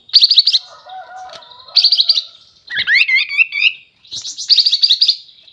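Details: Sooty-headed bulbul singing hard: fast rattling strings of sharp high notes alternate with a rich phrase of swooping, looping whistles, and soft lower whistles sound faintly in between.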